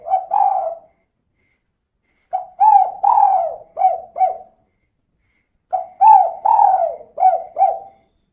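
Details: Female spotted dove calling persistently in the 'kuk 2' style, used as a lure to get other birds singing: three mellow cooing phrases of soft, arched notes, separated by silent gaps of a second or more.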